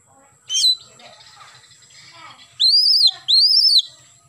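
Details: Morning song of an oriental magpie-robin: one sharp slurred note, then two loud, long arched whistles in quick succession, each rising and then falling, with soft chatter between them.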